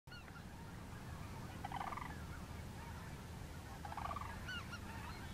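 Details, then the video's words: Sandhill cranes at Woodbridge Sandhill Crane Refuge, Lodi, California, February 2013: two rolling, rattling bugles about two seconds apart, with fainter calls from more distant cranes over a steady low wind rumble. "Sandhill Cranes"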